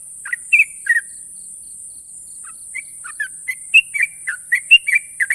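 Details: Champion Sooty-headed bulbul giving long sharp trills: a few bright chirps, a quiet gap, then an accelerating run of loud falling notes, over a steady high hiss.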